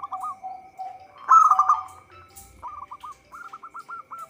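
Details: Local zebra dove in full song, recorded for use as a trapping lure; soft low coos give way to a loud rolling trill, then quick runs of short hooked cooing notes, a faint steady tone throughout.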